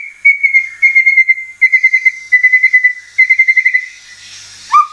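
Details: White-rumped shama (murai batu) sound as a sequence of level whistles with a quick warbling flutter inside each note, repeated in groups. It ends with one short rising note.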